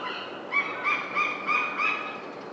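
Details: Rose-ringed parakeet at a karasuzanshō (Zanthoxylum ailanthoides) tree: a run of five short, harsh, harmonic-rich calls, each about a third of a second apart, set against a steady background hiss.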